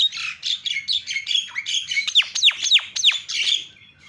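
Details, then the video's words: Javan myna provoking calls, a loud, dense stream of harsh chattering squawks broken by several sharp downslurred whistled notes in quick succession. "SUARANYA MENGGODA JALAK CEPAT TERIAK"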